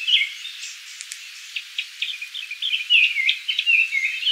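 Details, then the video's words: Japanese thrush singing at Kiyokawa Village: a run of short, clear whistled phrases in varied, rapidly changing notes, some slurred downward, delivered in bursts with brief pauses between them. "クロツグミ Japanese thrush"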